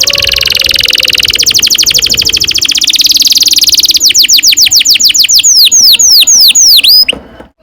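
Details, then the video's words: Canary singing a long rolling song, used as a training lure for young canaries: fast buzzy trills roll on for seconds, then shift into a string of clear, sharply sweeping whistled notes repeated several times a second. "Kenari gacor NGEROL PANJANG"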